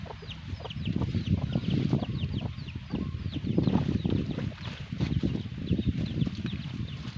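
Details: Black hen with her chicks: low, steady clucking from the hen under a continuous scatter of high, thin peeping from the chicks.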